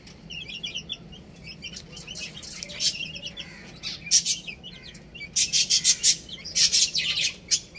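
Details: Young chicks playing and eating, starting with soft, scattered high peeps that build into loud, rapid bursts of sharp chirps and clicks in the second half.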